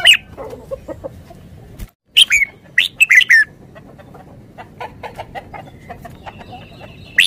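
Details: A decoy red-whiskered bulbul in Thailand repeats short, cheerful warbled phrases, first alone, then in a quick burst of several notes, with soft chirping in the background.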